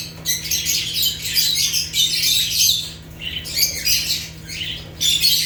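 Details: Rare African lovebirds (Agapornis) in natural chirping: almost unbroken harsh, high-pitched squawking chatter in long noisy runs with brief gaps, over a faint low hum.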